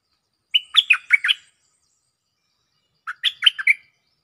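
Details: Lure recording of a cream-vented bulbul calling a mate: two lively phrases of four or five rapid, bubbly, warbled notes, separated by about one and a half seconds of silence.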